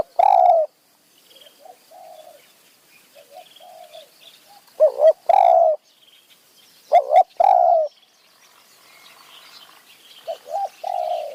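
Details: Spotted dove singing from a tree in high mountain forest near a decoy lure; loud bursts of two or three mellow coos with a drawn-out final note repeat every couple of seconds, with quieter coos and twitters between.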